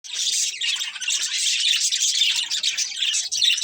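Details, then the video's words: Breeding pair of budgerigars chirping while eating: a dense, unbroken stream of high, scratchy warbling chatter for nearly four seconds, with brief dips in loudness. "Beautiful Budgies Chirping Sounds"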